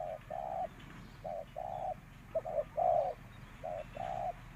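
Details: Decoy spotted dove for trapping, uttering four paired low coos, a clipped note then a fuller longer one, with a steady low hum beneath.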